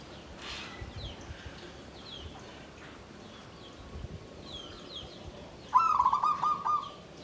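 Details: Caged zebra dove, called perkutut, in a bamboo cage: after several quiet seconds of faint background chirping, one rolling, rapidly trilled coo phrase in the klarr kete kuk kuk pattern rings out near the end.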